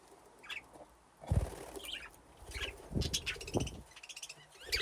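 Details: Captive budgerigars playing around nesting boxes in an aviary; short warbling chirps and a ringing, buzzy chatter of rapid notes, mixed with bumps and rustling from the birds moving about.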